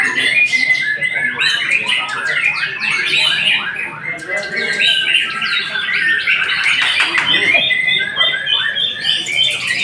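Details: White-rumped shama in sustained song, mixing clear whistled phrases with rapid buzzy trills and sharp clicks, delivered nonstop for about ten seconds.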